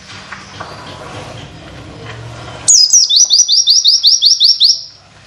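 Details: Oriental white-eye witwit tutor song for training other birds. Low background rumble gives way to a sudden burst of high, thin, downslurred wit notes repeated roughly ten times in quick rhythm.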